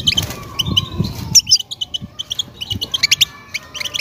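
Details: European goldfinch mating song aimed at a female ready to breed; scattered tinkling notes then a rapid sequence of bright twittering chirps, with a soft low rumble early on.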